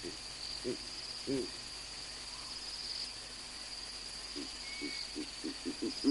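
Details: Two Verreaux's eagle-owls at a wildlife livecam in Olifants West Game Reserve, South Africa: deep, low grunting hoots, three spaced notes followed by a quickening run of about six, over a steady high insect trill.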